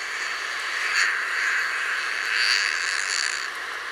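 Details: A Harris's hawk (Parabuteo unicinctus) gives harsh, grating wah calls, a few rasping bursts spaced about a second apart, over a steady hiss.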